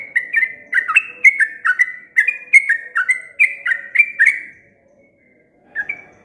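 Sooty-headed bulbul giving a long, rapid run of rich, bubbly whistled notes, about three a second for four seconds, then a short pause and one more phrase.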